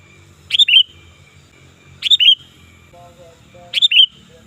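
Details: Loud, lively sooty-headed bulbul calling, used for luring birds and as a tutor recording. Three short bubbly phrases of quick chirps ending in a level whistle come roughly every 1.6 seconds, over a low rumble and a brief tonal hum.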